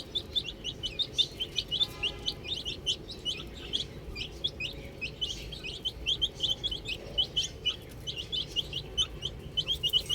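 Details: A group of baby chickens playing with a ball keeps up bright, high cheeping, each note a quick sliding peep, repeated several times a second and overlapping among many chicks.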